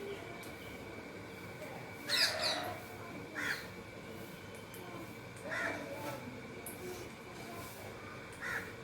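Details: Cheerful Indian ringneck parakeet munching food makes a burst of harsh, layered squawks, then several softer scratchy calls every couple of seconds, with a constant background hum.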